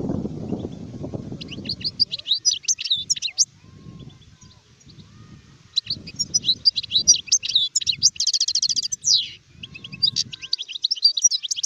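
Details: Adult European goldfinch from 2019 singing in three bursts of quick, jangling, buzzy twitters mixed with clear chirps, separated by short pauses, over intermittent low rumbling sounds.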